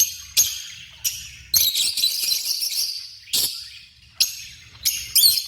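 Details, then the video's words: A busy run of harsh, high-pitched shrieks and chatter from African lovebirds, bursts tumbling every half second or so, one longer rasping stretch in the middle. "The Vibrant Sounds of African Love Birds"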